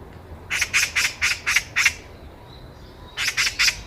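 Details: On a Korean walking path, a Eurasian magpie gives a ringing chatter: six rapid grating notes, a pause, then four more.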